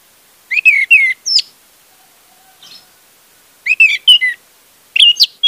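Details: Orange-headed thrush song played as a lure for a bird that has stopped singing: bright whistled phrases with slurred, warbling notes, delivered in bursts separated by short pauses, with faint scratchy notes between.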